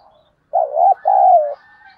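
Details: Spotted dove used as a decoy to lure and provoke wild doves into cooing, sung in the 'thổ' voice style; one low, mellow two-part coo, a short note then a longer slurred note, in quiet surroundings.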